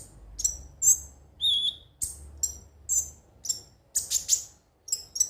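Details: Konin, or kolibri ninja, a sunbird, singing as a lure to make kept birds sing daily: sharp, very high chirps and short whistled slurs in quick irregular bursts, with a faint low hum underneath.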